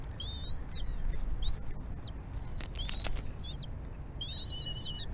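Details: Bald eagle at the nest, a mother bringing food to feed her chicks; four high, thin whistled calls with bright overtones, each rising slightly then holding level for under a second, spaced about a second apart over a low steady rumble.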